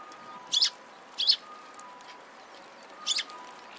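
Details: Sparrows flocking to food at a shrine in Japan on 26 March 2017: three brief, bright, high chirps spaced over a few seconds against a low background hum.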